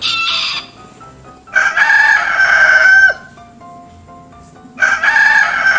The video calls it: Rooster Crowing